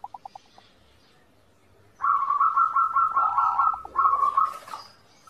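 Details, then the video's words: Zebra dove song used as master audio to train birds to sing: soft notes near one pitch, a few short taps, then a long run of rapid, even, stuttering coos, a brief pause, and another burst. "masteran perkutut, perkutut gacor"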